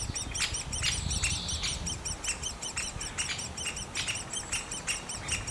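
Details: High, fast repeated chirps at a great spotted woodpecker nest, about three a second, mixed with sharper harsh bursts and a short buzzy note early on; low rumble underneath.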